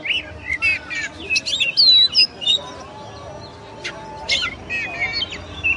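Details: Oriental magpie-robin, called kacer, delivering quick chattering and whistled notes early on, a quieter gap, then sharp clicks and warbles returning, with low background noise.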